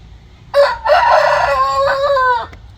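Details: Pet rooster crowing in the morning as a natural alarm clock: a loud, hoarse cock-a-doodle-doo that opens with a short note, then holds a long, strained, slightly wavering tone for about two seconds before cutting off.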